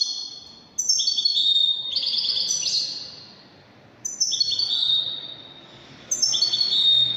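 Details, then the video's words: European goldfinch described as Widani, singing: bright, tinkling twittered phrases with rapid buzzy trills and sliding notes, in three bursts separated by short quiet gaps. "تغريد طائر الحسون الويداني"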